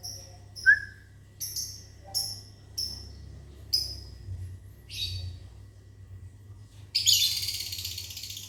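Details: Lovebirds in a small aviary on a morning, replying to whistling: a brief human whistle early, then a run of short high squeaky chirps spaced about a second apart, ending in a loud harsh screech; low hum underneath.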